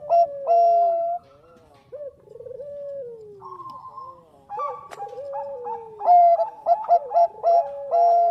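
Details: Zebra dove of the Bangkok variety, a lure recording, delivering mellow looping coos, several long downward-sliding notes, and a closing run of loud rapid rolled coos, with a sharp click midway.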